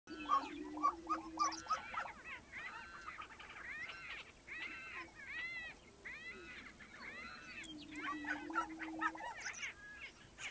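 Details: Lesser prairie-chicken; display calls; courtship display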